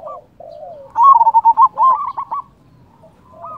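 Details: Local zebra dove with a big voice, used to lure or provoke rival doves into answering: soft introductory coos, then a loud stuttering run of short mellow notes ending in a rolling trill, and a quieter coo after a pause.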